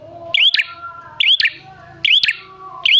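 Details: Energetic bar-winged prinia call used to provoke other prinias to respond: short bursts of clicks and a rising whistled note, three bursts in three seconds, with a soft low buzz in the gaps.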